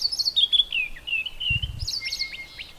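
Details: Highly repetitive song of a white-browed scrub robin hidden inside a bush: a rapid cascade of descending high whistles, a short low thump, then sharper, higher notes over a thin, steady whistle.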